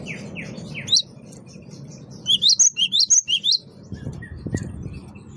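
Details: Lure song of a great tit, locally gelatik batu wingko, delivered vigorously. After a few faint downslurred chirps comes a fast phrase of seven ringing notes swinging between two pitches, then scattered soft calls.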